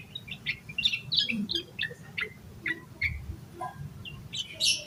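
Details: Lively yellow-vented bulbul song used to trigger singing in other bulbuls: a series of separate clear chirps about every third of a second, slowing midway, closing with a high squeaky flourish.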